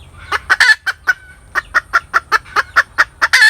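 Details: Hen's cackle: a steady train of short nasal clucks, roughly four per second, with harsher, louder squawks at the start and at the close.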